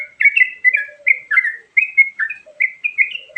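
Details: Yellow-vented Bulbul song in a varied filler style meant for luring: loud, quick, bubbly chirps in tight runs, with brief breaks and an occasional faint low slurred note.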